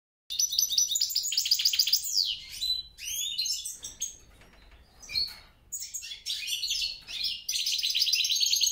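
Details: Hybrid European goldfinch × grey-crowned goldfinch, a mule, singing: rapid high twittering phrases with buzzy trills and sweeping chirps, broken by short pauses and a quieter stretch midway before resuming.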